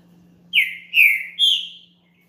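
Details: Green-winged saltator singing, used to warm up another bird: three loud whistled phrases in quick succession, the first rising then falling, the next two slurred and slightly descending, over a steady low hum.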